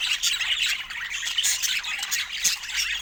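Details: Several budgerigars squawk and chirp at once, a harsh, hissy twittering that barely dips throughout.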